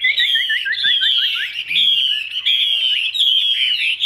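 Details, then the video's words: Chinese hwamei in a cage, praised as a fine singer, giving a bright, high whistled song with a few quick chipping notes, then long sweeping phrases repeated in steady bursts. "Họa mi đuôi lá vả bóng bộ đẹp hót hay"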